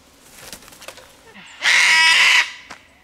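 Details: Single loud, grating cockatoo scream lasting under a second, given in the bush as the bird makes a fuss about a person nearby; faint clicks and rustling precede it.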